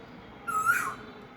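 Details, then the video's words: An Asian koel sitting in a mango tree on the first day of spring, Pohela Falgun (14 February), gives one clear, mellow whistled note that rises slightly then drops away, about half a second, over quiet hiss. "আম গাছে বসে ডাকতেছে কোকিলটা। বসন্ত কোকিল,"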